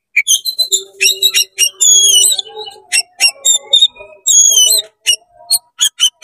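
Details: Fast, varied song of an oriental magpie-robin in 'konslet' style, to provoke fellow magpie-robins: rapid stuttering chips, long thin descending whistles and buzzy notes, with a low droning tone underneath.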